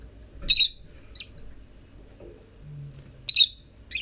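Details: Lovebird chicks leaving the nest for the first time, almost forty days after hatching began on 13 November, recorded 25 December; two short bursts of sharp, high chirps about three seconds apart, with quiet pauses between.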